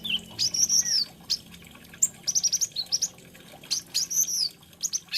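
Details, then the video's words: Lively high-pitched song of an olive-backed sunbird, called kolibri ninja or konin: thin drawn whistles alternating with fast rattling series of sharp chips, repeated through the clip; quiet background. "SUARANYA BURUNG KOLIBRI NINJA / KONIN"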